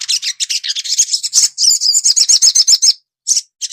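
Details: Sunbird, a young bird in training, sings to prompt quick chattering. An unbroken high, fast twitter, ending in a row of sharp rhythmic notes, then two brief chirps after a pause.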